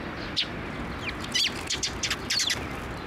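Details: Sparrows coming to a raised platform for food at a Tenmangu shrine on 6 May 2023; short, high chirps in irregular bursts, some doubled, over a steady background hiss.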